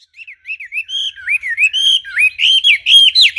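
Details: Wambi bird singing clearly: a fast run of bright, slurred whistled notes rising and falling, about four per second, growing louder toward the end.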